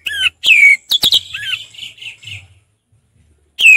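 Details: Orange-headed thrush in relaxed 'ngeplong' song, giving loud slurred whistles that drop in pitch, a few sharp clicks, then softer warbling notes trailing into a pause before another whistle begins.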